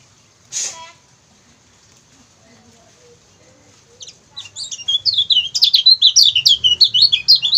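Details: Lemon-bellied white-eye song used as a training recording for other songbirds: a brief sharp noise, then about three seconds of near quiet, then a rapid, high-pitched run of varied chirps, twitters and short trills that grows dense and continuous.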